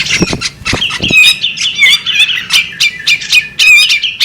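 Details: Female bearded magpie robin: low knocks and flutters at first, then a long stream of high, buzzy squeaks and twittering notes with slurred whistled inflections.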